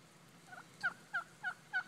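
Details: Wild turkey answering mouth-made hen calls near a house: four short, faint, downslurred yelps spaced about a third of a second apart over quiet background.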